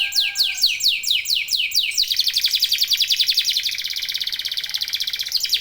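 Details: Local canary in full song to spur other birds on: loud repeated falling whistles about every quarter second, shifting into a fast, even, rolling trill that carries to the end.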